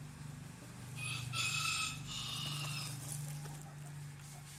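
A small rooster gives one thin, high-pitched crow lasting nearly two seconds, with a steady low hum underneath.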